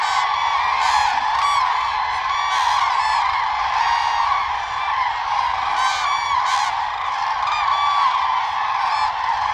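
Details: Common cranes during the courtship dance of the mating season, jumping and flapping before bowing and calling; a busy crowd of overlapping bugling calls with distinct loud rolling honks at irregular intervals.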